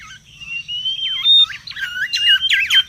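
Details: Mangrove whistler singing busily in the wild, recorded for luring and song tutoring: a long thin steady whistle with looping, slurred whistled notes breaking in, growing denser toward the end.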